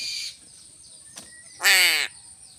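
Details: Crow being fed fish gives one loud, harsh, drawn-out caw of nearly half a second, richly buzzy with stacked overtones; faint chirps and a steady hum sit behind it.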